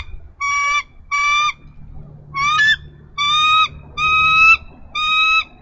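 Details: At a Minnesota bald eagle nest on 3 May 2013, the female calls her mate for relief from incubation duty: six loud, harmonic, slightly rising chittering bursts, roughly one each second, with a faint low hum behind.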